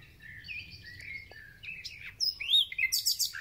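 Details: Thrush nightingale song heard at the onset of spring: thin, drawn-out whistles and slurred notes, then louder sweeping whistles and a quick series of harsh notes.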